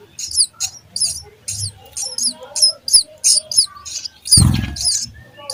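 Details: Baby sparrows being fed in their nest give a rapid series of shrill, rasping cheeps, about two per second, with one muffled bump near the end.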